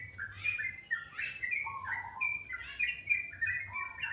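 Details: Melodious morning song: rapid chirping phrases about three notes a second, alternating higher twitters with lower whistled slurs, over a faint hum.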